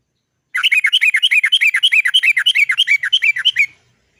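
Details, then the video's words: Yellow-vented bulbul (trucukan) in a long rolling 'ngerol panjang' song used to stir other birds into calling: a fast, even chain of about thirty bubbly, slurred notes lasting three seconds, then silence. "TRUCUKAN GACOR ... suara cok cok cok ngerol panjang PANCINGAN burung trucukan agar cepat bunyi"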